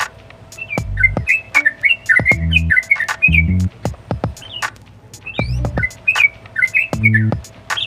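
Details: Yellow-vented Bulbul in lively 'gacor' song with clicking 'nguklik' notes meant to provoke other birds: repeated bubbly whistled phrases in quick sequences, many sharp clicks, short low buzzing bursts and a faint steady tone.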